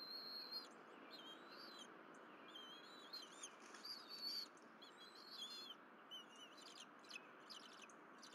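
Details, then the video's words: Bald eagles at their nest at Berry College during a morning of fish deliveries and shared feeding. Thin, high whistled chirps come in short series, some slurred and some clipped, over a steady background hiss. "Berry College Eagles~ Two Fish Deliveries By Mom-All Three Eat On Nest"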